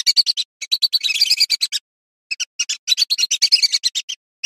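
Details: Female lesser whistling duck giving bright, rapid chattering notes, sometimes stuttering and uneven, in two main bursts separated by a pause of about half a second, with clean silence around them.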